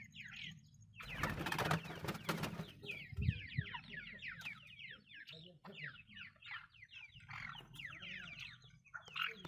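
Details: Female desi grey francolin kept for decoy hunting, giving a long series of rapid harsh chattering notes, accelerating then spreading out, over a low rumble with a loud broadband noise burst early on.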